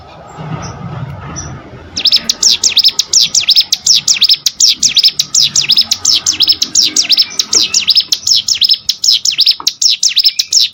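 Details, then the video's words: Cigun or prenjak gunung prinia, song made as training audio for contest birds: after a short quiet start, loud, evenly paced high V-shaped whistled sweeps run on continuously. "CIGUN ATAU PRENJAK GUNUNG!!!"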